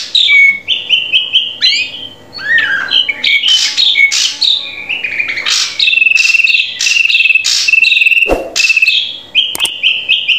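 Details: Drongo song used as a tutor recording to train captive birds to sing: a varied run of clear whistled notes, short slurred phrases and buzzy chatter, with a steady trilled passage and a couple of sharp clicks.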